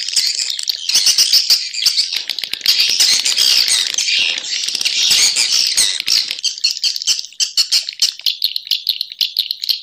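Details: Swiftlets, a recording labelled Sp M567: dense, continuous high chirping and twittering with rapid clicking pulses, layered calls overlapping throughout with no pauses.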